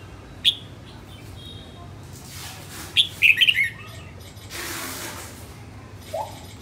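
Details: Female red-whiskered bulbul of the northern type in voice training, giving one short warbled phrase of bright notes midway, with a lone sharp chip near the start and quiet hiss between.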